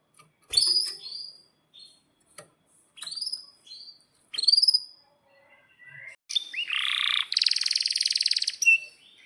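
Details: Canary singing vigorously, used as a master song to teach young canaries and restart silent ones: sharp whistled chirps and upward-slurred notes, then a loud buzzy roll held for about two seconds.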